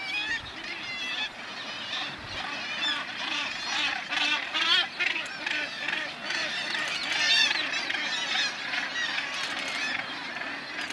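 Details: Northern gannets at a breeding colony with a chick, Bempton Cliffs RSPB, East Yorkshire, July 2012: a dense, continuous chorus of harsh, overlapping grating calls with wind or surf noise underneath.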